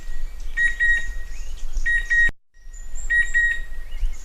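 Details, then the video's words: Chestnut-winged cuckoo giving two ringing double-noted whistles, a brief silent break, then the call resumes, with faint high bird whistles behind. "เสียงนกคัดคูหงอน Chestnut-Winged Cuckoo Sound"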